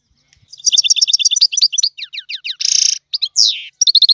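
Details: Goldfinch song of the style called tiwawati: rapid high twittering trills of repeated chirps, a dense buzzy burst near the middle, a sharp descending whistle, then quick repeated notes, clean with no background sound.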